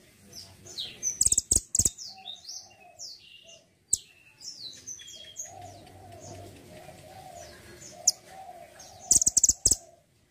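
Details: Mantenan gunung singing actively, kept as a master bird for training songbirds; high, thin chirps and short whistled slurs scattered through, with bursts of sharp, loud clicking notes near the start and end over a low, steady hum.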